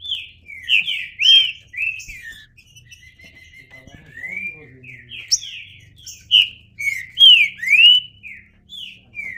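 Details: Green-winged saltator in full song, delivering rich, slurred whistles in bursts, some rising and some falling, with a quieter stretch midway before loud phrases resume.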